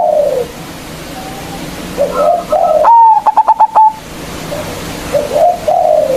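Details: Local zebra dove with a big voice, used as a lure that calls rivals to sing. Soft wavering coos come first, then a loud, clear drawn note followed by five rapid, evenly spaced stuttering coos, then more soft cooing.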